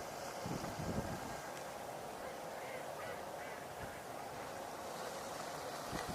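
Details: Mallards quacking in quick, uneven bursts among other ducks including pintails on the water, on a 27 November 2021 tour, half-buried under steady wind and rumbling background noise.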